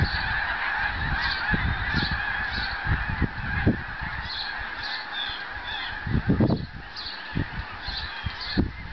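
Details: Migrating Canada geese gathered in a backyard, with snow geese also named. Many honks overlap into a constant chorus, and sharper individual honks stand out now and then. Low bumps and rustling noises come from nearby.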